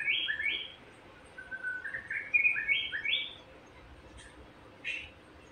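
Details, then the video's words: White-rumped shama song played to provoke a caged shama into singing: varied whistled phrases of rising and falling notes around two to four kilohertz in quick succession, then a pause and a few sharp chips. "Pancingan Emosi Murai Batu Agar Cepat Gacor"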